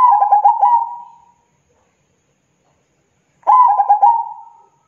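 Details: Long-singing zebra dove: quick rattled coos ending in a smooth sustained note that fades, then a second identical phrase after a silent gap of about two seconds; clean recording with no other sounds.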